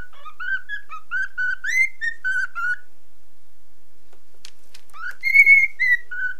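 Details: Cockatiel aged nine months singing and copying a mobile phone: quick chain of short, warbling whistled notes for about three seconds, a silent gap, then a louder high whistle sliding downward.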